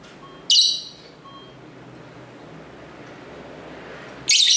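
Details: Lovebirds at home calling to each other, recorded on a built-in camera mic near a main street: a shrill, scratchy shriek, a long pause with low street rumble, then another harsh burst.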